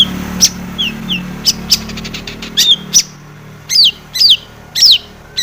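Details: Long-tailed shrike, lure recording to provoke singing: scattered short whistles and clicks, then three loud sweeping downslurred whistles spaced about half a second apart.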